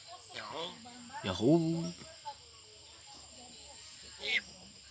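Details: Javan myna kept as a household pet in Indonesia, imitating human talk: a strong, hoarse, voice-like phrase with stacked wavering tones, followed by softer murmurs and a short high squeak, against a constant background hum.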